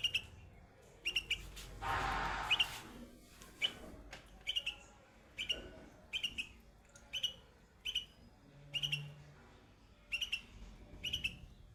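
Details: On white flowers, a young bulbul gives short, sharp chirp clusters, repeated roughly every second with steady rhythm. A brief rustling burst interrupts early on, and there is faint low background rumble.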